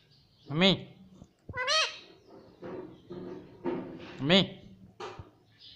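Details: Parrot taught to say mummy and papa utters a string of short harmonic words about once a second, some deeper and voice-like, others higher and squeakier, with light room noise.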